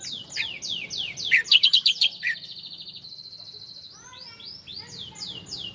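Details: Master recording of a bar-winged prinia (ciblek Koya) for training cage birds: a run of high descending sweeps breaks into a loud, rapid series of sharp chirps, then fainter falling sweeps return.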